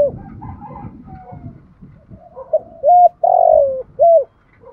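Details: Spotted dove acting as a lure bird, calling to stir wild doves into cooing. Low rumbling noise and muffled sounds open the recording, then a clear phrase follows: short hoots, a long burry falling coo, and a final hoot.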